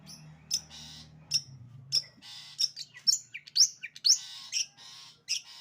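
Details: Long-tailed shrike in 'sembur' song, sharp high chips and short raspy bursts repeated about twice per second, a few upward-sweeping whistled notes near the middle, with low humming noise at the start.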